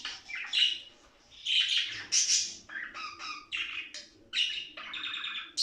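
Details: Budgerigars warbling, played to excite birds and encourage mating; separate scratchy, buzzy phrases with short gaps, some squeaky whistled notes between them.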